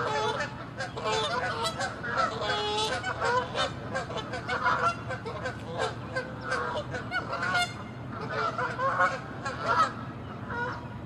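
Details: Canada geese fighting on water and land, territorial and angry; a long, dense chorus of many overlapping loud honks, nasal and harsh, steady for about eleven seconds with a brief lull near the end.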